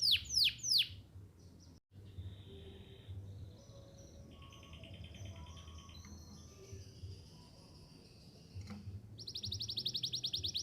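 A canary sings high, bright phrases: quick downward sweeps, buzzy trills and rapid rattling chirps, with a low steady hum underneath.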